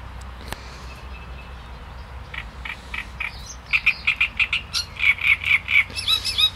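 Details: Great reed warbler song starting softly with faint, scattered notes, then building into loud, rasping, repeated churrs delivered in rapid rhythmic series during the second half.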